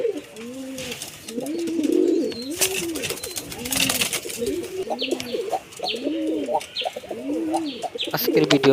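Pigeons cooing in low, soft, rolling phrases, repeated over and over.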